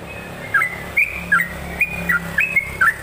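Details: Yellow-vented bulbul repeating short, clear whistled phrases that drop and rise, spaced roughly every half second after a quiet start, over low steady hum.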